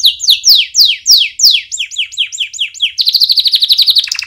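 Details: Canary singing as a training song for chicks: a series of loud descending swept whistles, then quicker hooked upward notes, ending in a rapid high rattling trill.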